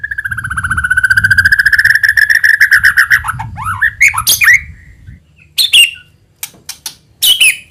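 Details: White-rumped shama lure song opening with a long fast trill that slowly rises, followed by swooping whistled notes and scattered sharp high chips, with a faint low hum underneath.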